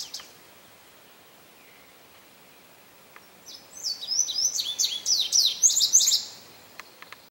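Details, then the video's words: Several quiet seconds with faint background ticks, then a male Indigo bunting bursts into a high, paired-note song of buzzy downslurs lasting nearly three seconds; St. Johns Conservation, May 25, 2022. "Indigo Bunting Song"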